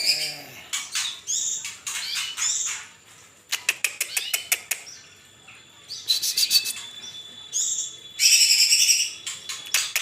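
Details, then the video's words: Greater green leafbird from Kalimantan in lively song: varied high whistled phrases, rapid chattering bursts and dense buzzy trills, broken by short pauses, with faint flapping in between. "cucak ijo Kalimantan bahan gacor"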